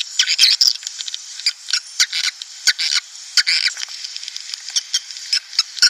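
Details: Lure sound for swiftlet houses, meant to attract breeding swiftlet flocks: quick clusters of short, high twitters and clicks repeat unevenly over a steady background chatter.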